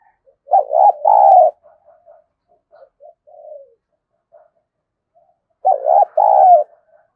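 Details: Spotted dove cooing, played as a lure to stir decoy doves into calling: a loud, rough two-part coo with a falling tail, then soft scattered coos, and the loud phrase again near the end. Quiet background.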